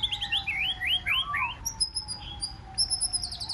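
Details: White-rumped shama in 'forest voice' style, used to provoke wild-caught shamas to sing in contest: a run of looping, rising whistled notes over a long low steady tone, followed by thin high repeated chips.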